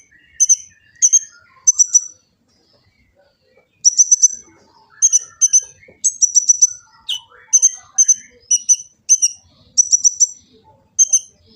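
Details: Sunbird known locally as kolibri ninja, recorded by phone in Gresik, East Java, singing a full master song: rapid clusters of piercing high chirps and trills repeated in quick bursts, with a few lower twittering notes in between.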